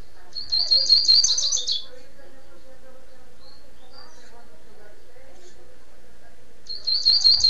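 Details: Rusty-collared seedeater (coleiro) from Niterói, Rio de Janeiro, giving a quick burst of high twittering song notes, a long pause with faint hum, then the phrase starting again at the end.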